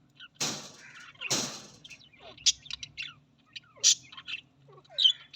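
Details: Australian parrots: two harsh rasping screeches open, followed by scattered sharp chirps and short whistles at irregular intervals.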